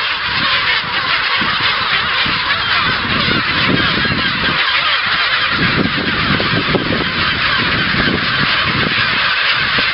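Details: A very busy kelp gull breeding colony with big chicks at the end of January gives a dense chorus of harsh honking and squealing calls that overlap continuously with no pause.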